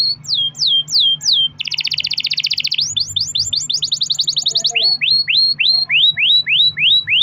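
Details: Pet canary's long-rolled song, a lure recording to make other canaries sing: descending whistles, a loud fast buzzy roll, quick rising trills, then evenly spaced swooping notes repeated about twice per second.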